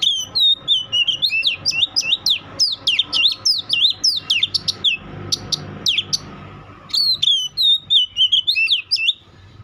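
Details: Oriental magpie-robin singing a rapid, varied run of loud whistled and sweeping notes, many rising and falling sharply, in bursts with a short pause mid-phrase; faint low background rumble.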